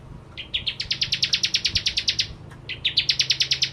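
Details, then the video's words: {'caption': 'Bar-winged prinia singing vigorously as a lure recording: two rapid bursts of sharp, clear chips that step up in pitch, then hold a fast, even rattle about 13 notes per second, with a short gap between bursts.'} "Burung Prenjak Jawa Gacor Pancingan Ciblek Kristal"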